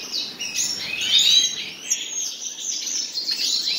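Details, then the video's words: A pair of common nightingales singing: rapid high warbled phrases with sharp whistled notes, quick trills and sweeping slurs, continuous and fairly loud, set over a faint steady background hiss. "моя пара соловьев"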